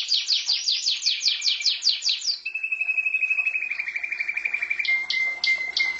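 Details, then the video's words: Pet canary singing: a run of fast down-slurred sweeps, then a long even trill of rapid repeated notes, ending with short buzzy bursts over a steady whistled tone. "Mon canari chant"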